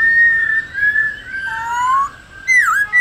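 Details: Female black-throated laughingthrush calling 'ro rò', used to make captive males sing hard. Long flat whistles slide gently up and down, overlapping a lower rising whistle, then a sharp downward-swooping note near the end.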